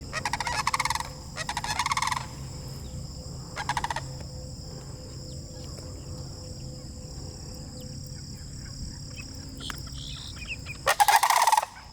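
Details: Sandhill cranes on a landing strip give loud, rolling, rattling calls in bursts of about a second, two near the start, one near four seconds and another at the end, over a steady low rumble and constant high hiss.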